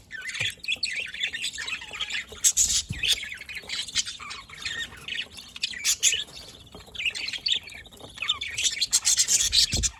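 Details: Budgerigars recorded 27 October 2023, a long stretch of lively chatter mixing harsh squawks with rapid chirps and twittered phrases.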